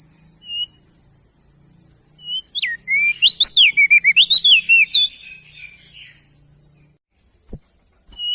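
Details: Male crested white-eye from East Nusa Tenggara, Indonesia, bursts into a fast two-second cascade of dense looping whistles. Scattered single notes come before it, a constant high hiss runs throughout, and a sharp click follows.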